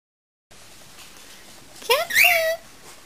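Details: A pet parrot in a fine singing mood, improvising around a tune indoors: after a pause comes a short burst of rising, warbling whistles that sweep upward, then a held, slightly falling whistled note, with faint room noise.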